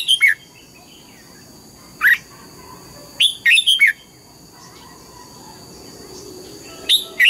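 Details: An old wild-caught red-whiskered bulbul in training sings its morning double-note song (âm kép): loud whistled phrases of one to four notes recur every one to two seconds, separated by quieter gaps with a steady background tone.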